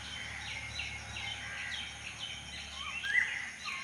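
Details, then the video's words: Hidden birds chirp in a garden at dusk, giving rows of short high twittering notes that repeat quickly and overlap, with one brighter squeaky note standing out near the end, over a low background hum. "পাখির কিচির মিচির ডাক শুনতে কার না ভালো লাগে।।"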